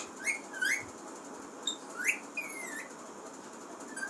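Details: Talking pet parrot giving a few clear whistled notes, some rising and one drawn-out slurred whistle, spaced irregularly among soft clicks in a quiet room.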